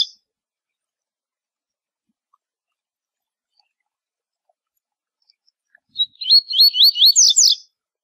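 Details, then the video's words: A Double-collared seedeater sings a high, quick warbled song phrase for training young birds, with twisting, buzzy notes, about seven in under two seconds. It comes after long silence, and a faint click opens the recording. "Tui Tui Zel Zel Para TORNEIO Encarte Seu Coleiro - Coleiro Professor Aprendizado"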